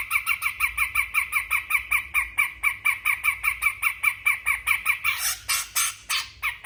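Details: Grey-cheeked bulbul from Sumatra in training: a long, fast, steady run of identical bright chirps, roughly three per second, ending in a few harsher, noisier bursts.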